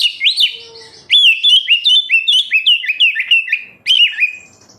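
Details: Oriental magpie-robin (kacer) song to encourage captive birds to sing: a rapid string of clear whistled upslurs and loops, a pause, then another brief phrase.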